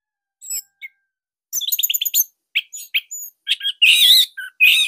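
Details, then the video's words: Orange-headed thrush, a caged songbird kept as a master song for training other thrushes, singing loud, tight phrases of sharp chirps, rapid trills and high whistled notes in quick bursts with brief pauses. "GACOR Dorr Kicauan Joss ANIS MERAH Pancingan Masternya Para JUARA."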